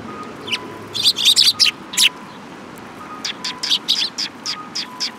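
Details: Sparrows gathering for food by Mizukami Bridge, 18 May 2021, chatter in loud clustered bursts of bright, high chirps, two dense flurries, while a low two-tone electronic beep repeats steadily behind them.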